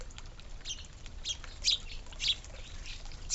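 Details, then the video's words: Suburban birds at a backyard feeder and water fountain, eating and drinking; short high chirps and squeaky notes scattered irregularly over a low steady background hum. "Real Bird Noises, Birds eating and Drinking"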